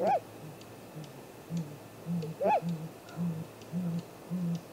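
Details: Great grey owl at the nest, early morning of 2 April 2018, live camera audio: two swelling rise-and-fall calls about 2.4 seconds apart, with repeated low humming pulses underneath.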